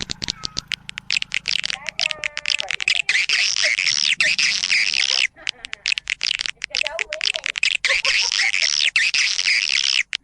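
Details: Roosting-colony lure for swiftlets: dense, rapid, buzzy high chatter repeated steadily, with a low hum early on and a few short tonal twitters.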